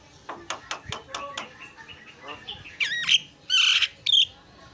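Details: Javan myna in a cage, recorded as a master for training cage birds; soft quick clicks and chatter build into three loud, rough squealing bursts near the end.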